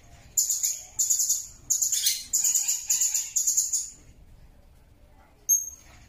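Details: Blue-crowned hanging parrot, recorded for tutoring songbirds: a run of shrill, high-pitched trilled chirps, each a brief rapid burst, about six in a row, then a pause and one thin whistle-like note.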